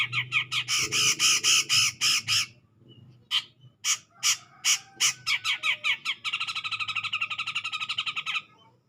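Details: Grey-cheeked bulbul calling vigorously to provoke a rival: loud, harsh, rasping notes in an irregular series with brief gaps, then a fast, steady chattering run of rapid repeated notes that fades at the end.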